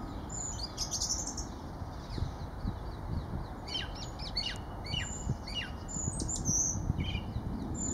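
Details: Song thrush singing in winter, 4 January 2019, at Kensington Gardens, London: a run of short, sharp, high whistled and chirped notes in loose bursts, over a steady low rumble of city background noise.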